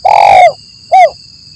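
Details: Spotted dove call used as a trapping lure: one long, loud, rough coo that falls at its end, followed by a short rounded hoot, with a steady high whine in the background.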